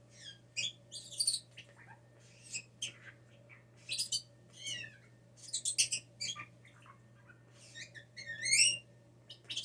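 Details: Indoor blue jay raised by hand after a fall from the nest, a frequent mimic of words and sneezing, gives a busy stream of squeaky, warbling and sliding notes with brief pauses, over a constant low electrical hum.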